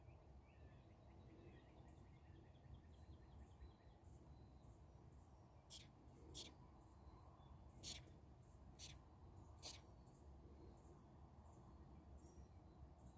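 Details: A sun conure, apparently calling at birds outside, gives a run of short, harsh, piercing screeches over a low rumble of background noise.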